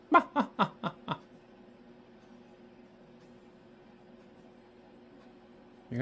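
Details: A pet cockatoo, grumpy and with an attitude in the morning before a vet visit, gives five quick, harsh, laugh-like bursts in about a second, then goes quiet before another squawk begins; a faint room hum underneath.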